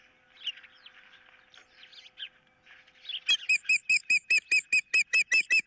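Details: Nest-camera osprey, 15 April 2023, amid a dispute over a fish with an intruder in the area: soft chatter of other birds first, then a loud, steady series of piercing whistled cheeps, roughly two per second.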